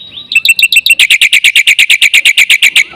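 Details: Black-winged myna song used as a lure, a few whistled notes leading into a fast, even series of loud, harsh chirps about seven per second.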